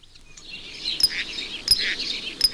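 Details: Male Common Starling singing and rattling his bill on a chimney pot on a house, among some 250 nesting pairs nearby: brief high chattering and thin whistles broken by sharp clicks about every 0.7 seconds.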